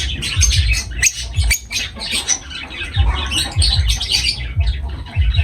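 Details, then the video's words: Shrill, scratchy lovebird chirps tumble over one another in an uneven stream, some sharper squawks standing out, with a deep droning hum behind. "Love birds voice sound"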